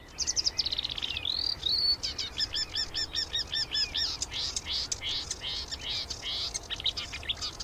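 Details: A marsh warbler delivers a rich mimicking song: a long rising whistle, then a fast string of repeated looping notes, followed by a continuous chatter of varied scratchy and whistled elements.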